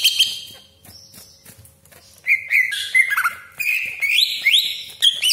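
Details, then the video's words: Greater green leafbird lure song meant to excite other leafbirds: after a quiet start with a few thin notes, a dense run of rising whistles, buzzy rasps and sharp chips follows. "CUCAK IJO GACOR DOR TEMBAKAN TAJAM BESETAN KASAR ROLL PANJANG FULL ISIAN"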